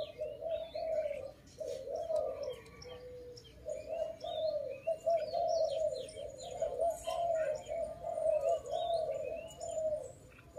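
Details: Dove in a forest trapping setting, giving long chains of rolling coos with a single short gap, while other small birds chirp and whistle in the background.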